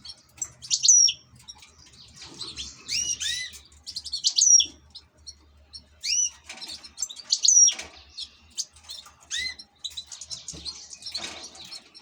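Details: Goldfinch kept as an ornamental bird giving lively bursts of bright twittering song: tinkling notes, curved whistled slurs and a piercing thin whistle repeated roughly every three seconds, separated by short quieter gaps.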